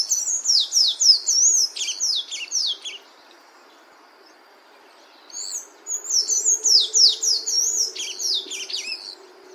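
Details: Sayaca tanager singing in nature: two bursts of high, squeaky, rapid twittering notes sliding up and down, separated by a few seconds of quiet.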